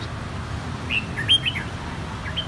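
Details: Red-whiskered bulbul, one of three same-brood kept birds whose white cheeks are turning red, singing a clear bell-like style; a few bright whistled notes, one sharp high note mid-phrase, over low background hum.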